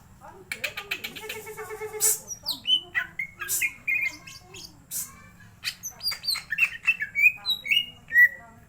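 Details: Greater green leafbird, a caged bird being excited into singing: a varied run of clear whistled slurs, chirps and short buzzy phrases, some notes bending up and down, over a faint low hum.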